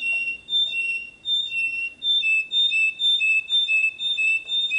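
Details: Canary tutor song for young birds: mellow, bell-like whistled notes repeated about twice a second in an even, steady rhythm.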